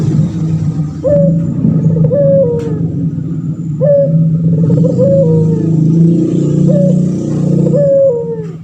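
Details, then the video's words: Male pelung turtle dove, kept as a training bird, gives repeated two-part coos, a quick rise then a long descending tone, partly masked by loud low-pitched droning noise. "Burung puter pelung jantan gacor , di jamin langsung nyaut"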